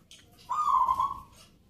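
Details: Local zebra dove at a night-time Nglagu Ngepat Mentaraman singing contest in Yogyakarta, Indonesia. One rich, level coo of about three-quarters of a second, with soft harmonics, stands above a low, steady background hum.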